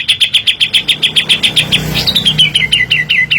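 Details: Cream-vented bulbul singing as a lure for cage birds: a steady rapid string of identical sharp chirps, about four per second, shifting into slightly falling notes, with faint low rumble behind.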